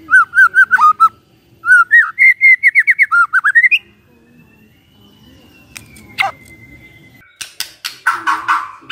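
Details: Morning song of a white-rumped shama, used to provoke a silent bird into answering: quick series of clear repeated whistled notes, rising slurred phrases, a long faint thin whistle, then harsh scratchy bursts.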